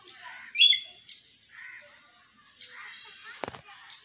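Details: Talking common hill myna producing speech-like murmured syllables, a sharp bright whistle near the start and a loud click toward the end, with soft pauses between phrases.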